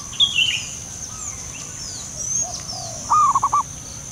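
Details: Soft call of a wild local zebra dove: a brief stuttering burst of quick cooing pulses near the end, after a high, slurred call from another bird and faint background chirps.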